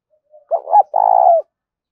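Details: Mellow spotted dove coo for attracting wild doves: a faint lead-in note, two rounded short hoots, then a steady, buzzy-edged coo lasting around half a second before fading into silence.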